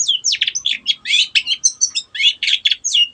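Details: Shrike singing in full voice, a bird used to get silent birds to start singing. It gives a rapid, continuous run of mixed chirps, sweeps and scratchy notes with barely a pause.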